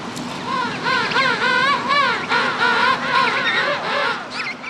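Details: Penguin in a colony in the French Southern Territories, parent returned from feeding to find its chick: loud, trumpeting warble of quickly wavering, rising-and-falling harmonic notes, several per second, nearly five seconds, as adult and chick recognise each other.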